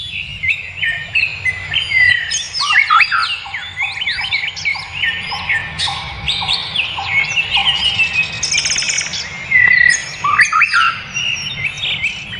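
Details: Wild bird song in nature: a rich, varied run of whistled and chirping phrases, rising and falling notes with quick trills and buzzy bursts, loud and nearly continuous over low background rumble.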